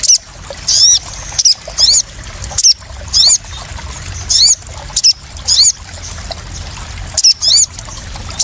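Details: Crested jay calling as a lure to draw out other birds and calm newly caught ones: short high squeaky notes in paired bursts, repeated about every second, over a constant background hiss.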